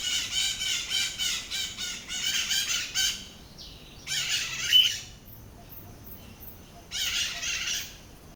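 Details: White-eyed parakeet pair squabbling noisily in Brazil's Atlantic Forest, Lagoa da Conceição, Santa Catarina Island: three-second run of harsh rasping screeches, then two shorter screechy bursts with quiet gaps between.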